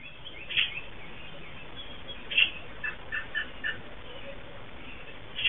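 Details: American robin heard by a nesting female in Southern Ontario, Canada, singing and calling nearby: bright short chirps and clipped notes spaced irregularly, several soft notes clustered near the middle, over a steady background hiss.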